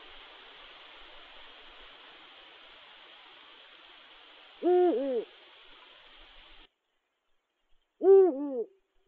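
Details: Eurasian eagle-owls courting in winter 2022/2023, as a widowed female pairs with a new male: two deep, arched hoots a few seconds apart, rising then falling, while a steady background hiss fades out midway.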